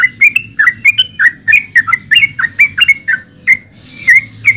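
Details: Chattering yellow-vented bulbul song made of rapid, slurred whistled notes, about a dozen in quick succession, slowing toward the end with a soft hum behind.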